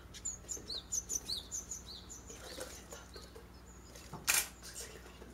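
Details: Japanese tits, a pair and six fledging chicks, at a garden nest box in a holly tree near a mountain village; a run of high, thin chirps repeats about every quarter second, followed by one louder rasping burst.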